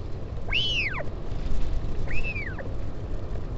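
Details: During a northern royal albatross parent's visit to its chick at Taiaroa Head near Dunedin, New Zealand, 16 July 2019, two clear whistled calls swoop up and curve down, spaced about 1.5 seconds apart, over wind.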